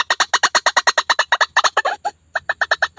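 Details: White-breasted waterhen lure call for trapping: fast, rhythmic run of harsh, ringing notes that breaks briefly, then resumes at a slightly slower pace.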